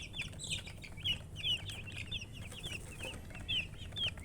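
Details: Chicks of domestic chicken giving clear high peeps, each note a short downward slur, several per second, steady low hum underneath.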